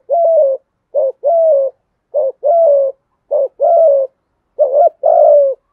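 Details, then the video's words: Spotted dove song in the 'giọng thổ' and 'giọng hạp bổi' styles. Steady repeated couplets, each a clipped rising coo and then a longer sustained one, recur about once a second on a clean background. "cu gáy thúc gù giọng thổ cực đỉnh giọng hạp bổi"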